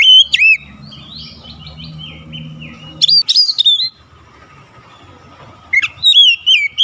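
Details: Oriental magpie-robin song, meant to restore a stalled bird's singing fast: loud bursts of rich whistled, slurred notes at the start, middle and end, separated by quieter stretches with a faint low murmur beneath.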